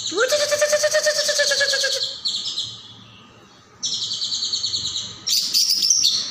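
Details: Leafbird song recorded for training other songbirds: a rich, buzzy note with a rising start pulses for two seconds, followed by high, thin, buzzy phrases separated by short pauses.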